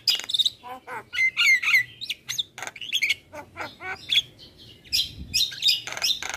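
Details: Javan myna singing a teaching recording for other birds: rapid, varied jumble of raspy squawks, sharp clicks and bright whistled slurs in quick bursts, several phrases a second, loud and clean with a faint low hum beneath.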